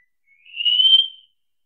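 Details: Wallcreeper singing a single drawn-out, thin whistled note that swells in and fades out over just under a second, in otherwise clean silence.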